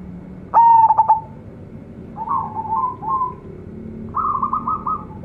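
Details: Local zebra dove, young, opens with a loud stuttered coo, then gives wavering rolling phrases and a final quick run of staccato notes.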